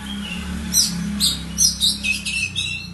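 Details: Song of a kept Oriental magpie-robin: sharp, high chirped notes in clusters, then a descending series of clear whistled phrases, over a faint low background hum.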